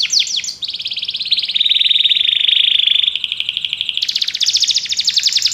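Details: Belgian canary singing a song used to stimulate other canaries to sing: a few quick falling sweeps open into a long, rapid, even trill, dropping to a lower rolling phrase, then jumping to a higher, buzzier trill to the end.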